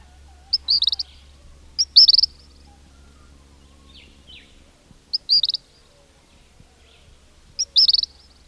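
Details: King cormorants calling in a breeding colony, where adults grunt and chicks whistle; short bursts of high, squeaky whistled notes come in four clusters about two seconds apart over a steady low hum.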